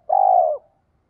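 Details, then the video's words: Spotted dove, a single coo from a voice played to stimulate wild-caught birds. One smooth, rolling, low note lasting about half a second, slightly falling at its close. "Giọng chim cu gáy THÚC rút bổi, giọng này anh em mở lên nghe vừa hay mà bổi nghe gáy"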